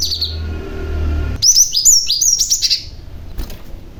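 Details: Lure calling from a male cinereous tit meant to provoke replies from other tits. After a low rumble, a rapid run of thin, high, downslurred chirps fills about one and a half seconds and then stops abruptly.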